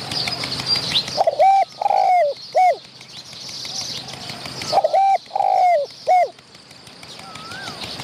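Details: Wild spotted dove with a medium voice, answering a decoy and chasing the decoy birds nearby. There are two clear coo phrases, each short, long and then drooping, over a hissy background with faint high whistles.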